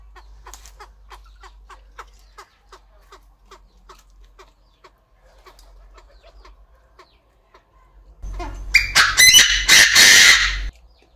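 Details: Chinese francolin kept in an aviary: about eight seconds of faint, quick, regular clucking ticks, then a sudden loud, harsh crow of several grating bursts lasting over two seconds.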